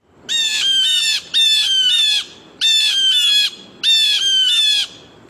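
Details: Several Blue Jays mobbing, calling together to chase away a predator such as a hawk or owl, give harsh, nasal jeer calls in four long overlapping bursts, each about a second long.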